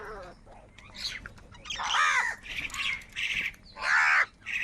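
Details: Crows squabbling over food give harsh, ragged overlapping cries, several bursts in close succession with uneven spacing, some higher and scratchier than others, over a quiet outdoor background.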